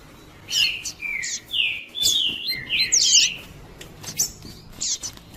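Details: Double-collared seedeater giving the pure "tui tui" song, used to warm up and provoke males: a run of drawn-out whistled notes linked by slides, a bright jumbled burst, then scattered sharp chips.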